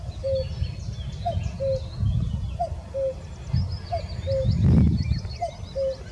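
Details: Common cuckoo at Abcoude, Netherlands, on 4 May 2024, repeating its soft, falling two-note cu-coo about every 1.3 seconds; thin chirps of other small birds, a low rumble and a brief rustle behind.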